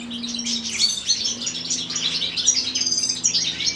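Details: Chaffinch feeding its young, with rapid high-pitched chirping that overlaps and flutters almost continuously over a faint, constant low droning hum.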